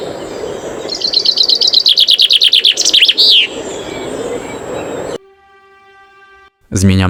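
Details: Common chaffinch spring song in Poland: a quick, bright cascade of repeated high notes that speeds up and ends in a strong flourish, followed by a steady electronic tone and a loud burst.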